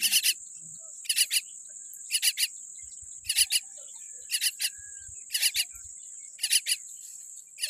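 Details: Harsh, raspy bursts from a tiny common myna chick born with a weak beak, two or three quick notes each, repeated about once a second over a steady high insect whine.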